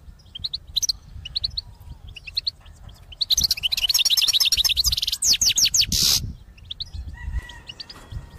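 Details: European goldfinch in a cage, a singer used for trapping, gives spaced high chirps that build into a rapid, dense run of bright twittering notes, then fall back to a few short chirps over faint low rumble.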